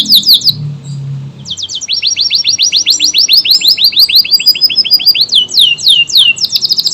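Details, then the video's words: Kenari AF canary with quick high downslurs, then an extended rolling trill of repeated swept notes, closing with fast high chips. The song is meant to train Murai, Kacer and other birds. "KENARI AF GACOR, durasi panjang tembakan rapet pas buat isian Murai, Kacer dan burung lain"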